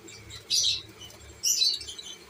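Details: Pet lovebirds, shown as several kinds together with babies. Two loud, shrill, high chirping bursts come about a second apart, with quiet between them.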